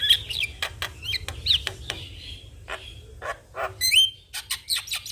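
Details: Javan myna singing in full voice (gacor) while head-bobbing, offered as master song for young mynas; sharp clicks and short whistled notes, scattered harsh rasps, a bright upslurred whistle near the end, irregular pauses.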